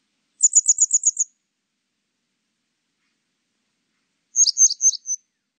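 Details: Grey wagtail calls from a 2020 recording: a quick burst of about seven sharp, very high, thin notes, a three-second silence, then a second burst of about six similar high, slightly harsher notes. The background is clean and still.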